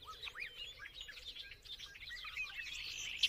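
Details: Bobolink song, a rapid jumble of tinkling, metallic notes rising and falling in a bubbling stream, with faint low background noise.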